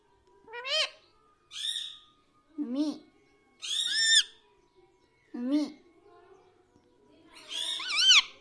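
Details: Pet parrot mimicking speech indoors, said to say "mummy papa": separate short voiced syllables with rising-falling harmonic tones, spaced about one to two seconds apart, the last a longer wavering phrase; a quiet room.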